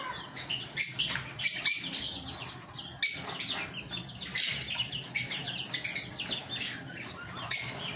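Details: Lovebirds in a small home aviary giving bursts of sharp, high, squeaky chirps, clustered in quick runs every second or so with quieter gaps and soft background twittering between.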